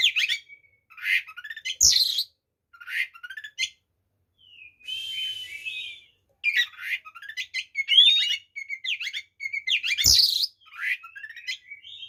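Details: Agitated Oriental magpie-robin song meant to rile rival birds into fighting: rich, varied outpourings of sharp chirps, rasping notes and ringing upslurred whistles, with brief silent gaps and a soft hiss in the middle.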